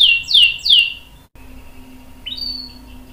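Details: Canary song, used to prompt other canaries to sing: three loud descending swept notes, a brief gap, then faint thin whistles and a steady high tone.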